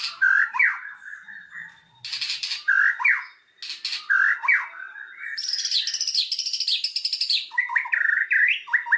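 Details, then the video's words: White-rumped shama song played as a lure to make a silent bird start singing: varied whistled phrases and sweeping notes in bursts with short gaps, then a fast high rattling trill and more whistles. "pancingan murai batu macet langsung buka materi"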